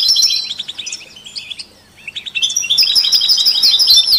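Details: High twittering European goldfinch song among canaries and mules, for stimulating other songbirds: busy phrases, a short lull with faint chirps, then a strong, even trilled run.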